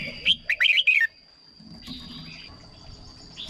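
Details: Red-whiskered bulbul song for exciting birds or decoying: one short run of rich, looping whistled notes in the first second, followed by faint murmuring background and a constant high whine.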